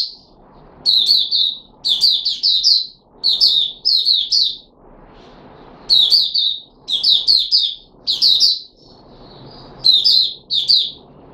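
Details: Caged red-whiskered bulbul, Puteh Raja type, on fruit juice and a single mealworm, 13 April 2021, delivers repeated bursts of three to four rapid chirpy notes, roughly one phrase per second, with low background noise.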